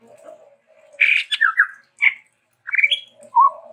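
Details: ['Chestnut-rumped babbler, a Sumatran endemic, uttering a few rough bursts, downslurred notes and a short rising whistle, with a soft low murmur underneath.']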